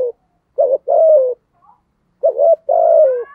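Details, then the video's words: Deep-voiced spotted dove coo: two phrases of a short wavering double note followed by a long steady coo falling gently at the end, separated by a brief silence. "cu gáy giọng thổ thúc gù"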